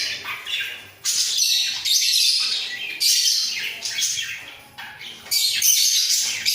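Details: Pair of budgerigars in a breeding enclosure, heads bobbing as they sing: steady, rough, twittering chatter repeated in phrases of about a second, with dips between them.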